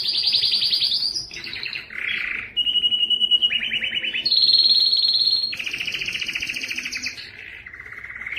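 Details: Canary song used to get males singing, a sequence of varied rolls: high trill, lower buzzy burble, steady flat tours, then bright fast rattles switching pitch every second or so.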